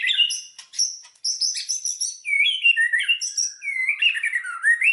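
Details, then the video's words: White-rumped shama song used as a lure to provoke other shamas into full song: varied loud whistles, sweeping slurs and rapid high chirps between two and eight thousand cycles, with brief pauses. "SUARA BURUNG MURAI BATU, PANCINGAN MURAI BATU BANGKITKAN EMOSI, AGAR BONGKAR MATERI"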